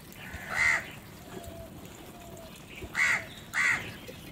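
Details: Eating crow in the morning utters one raspy caw, falls silent for two seconds, then gives two more caws in quick succession against soft background hiss.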